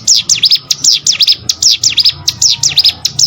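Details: Hill Prinia song for training competition birds: loud, high, sharp V-shaped chirps delivered in quick pairs and triplets, a steady chattering rhythm with a low hum in the background.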